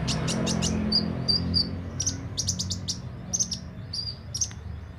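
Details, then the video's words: Energetic sunbird delivering bursts of piercing high chirps and short twittering phrases, grouped in quick clusters, with a low background drone throughout. "Burung kolibri ninja mental baja buka paruh gacor dor"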